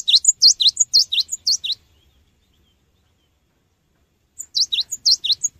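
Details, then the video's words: Cinereous tit lure song used to train birds: repeated high chip-and-swoop note pairs in a burst of nearly two seconds, a pause over two seconds, then another similar burst, clean background. "GELATIK BATU GACOR | SUARA BURUNG GELATIK BATU GACOR UNTUK PANCINGAN"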